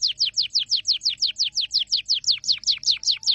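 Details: Singing canary delivering a steady tour of high downward-sweeping whistled notes, about five per second, evenly spaced and loud throughout.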